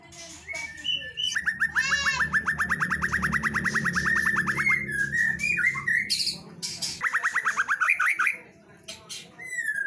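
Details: Female white-rumped shama singing vigorously, a long fast run of rising whistled notes near the same pitch, then shorter phrases and a second rapid run, with faint low hum underneath.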